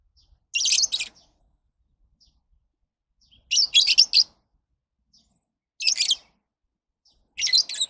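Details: Lovebird calls: loud, harsh, high-pitched chattering bursts about half a second long, repeated four times at intervals of roughly two to three seconds.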